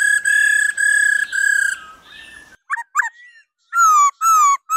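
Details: Female laughingthrush giving 'ro ro' calls to stir males into vigorous song: loud, harmonic-rich whistled notes, a long trilled burst, then softer broken chirps and three strong level whistles near the end.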